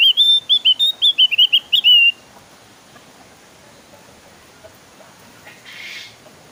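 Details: Javan grey-throated white-eye, a lure recording for getting other birds to sing, giving a quick run of about ten high, clear whistled notes, each slightly slurred, over two seconds, followed by near silence with faint background hiss.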